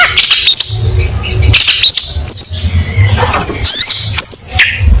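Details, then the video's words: Long-tailed shrike in lively song: high whistles and sharp chirps mixed with buzzy flourishes in an irregular sequence, over a low rumbling background. "Burung Cendet Gacor Full Tembakan Mewah Materi Lomba"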